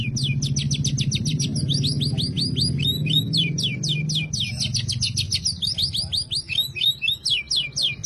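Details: Oriental magpie-robin singing a full canary-imitation repertoire: rapid high chirps and trills packed densely, shifting phrases, ending in separated pulsed notes, over a low steady background hum.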